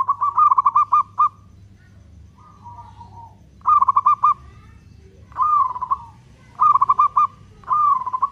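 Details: Cooing song of a local zebra dove, meant to provoke other doves into singing: repeated phrases of fast pulsed notes at one pitch, several rounds with short gaps and a softer descending coo between, low hum behind.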